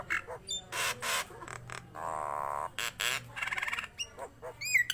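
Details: Nias hill myna uttering loud harsh squawks and a long droning nasal rattle, ending with a few sweet upward-curling whistles.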